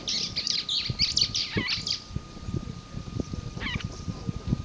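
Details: Small bird singing at Ngutuni Wildlife Conservancy safari lodge, Tsavo East, Kenya: rapid bright chirps and trills in the first two seconds, a short trill again near the end, over low rumbling noise and a steady hum.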